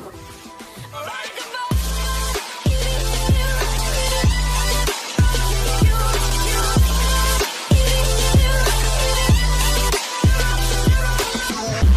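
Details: Heavy bass-driven music with a steady beat and rapped vocals fills the whole recording, with no animal sound audible.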